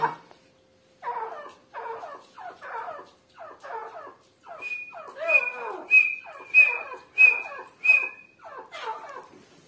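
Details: Female grey francolin, 29 November 2022, giving a run of low, descending rasping notes that shifts into loud whistled notes with a clear high tone, repeated roughly every 0.7 seconds.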